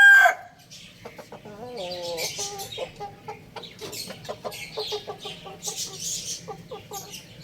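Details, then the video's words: Little domestic rooster kept at home, giving a run of short, low, nasal clucking notes, some paired and others gliding slightly upward, in quick uneven bursts, with scattered higher chirps and rustling behind. "Cute Little Rooster Chirping Sounds"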